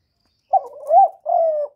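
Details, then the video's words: Spotted dove, a decoy bird kept by bird keepers, giving one low cooing phrase: a short note, then a longer rising-and-falling coo and a steady drawn-out final hoot, with no background noise. "Cu gáy hạp bổi {GÁY GỌI+THÚC+KÈM+GÙ khống} kích bổi hiệu quả. Cu đất gáy, tiếng cu cườm."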